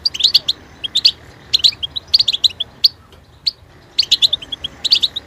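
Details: Fast goldfinch twitter: clusters of bright chirps and short trills, a quieter stretch with single notes midway, then dense chirping resumes.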